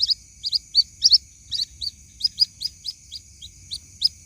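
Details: Young white-breasted waterhen calling for its mother: quick, high, piercing peeps, sometimes doubled, repeated about three times per second over a faint, continuous high-pitched hiss.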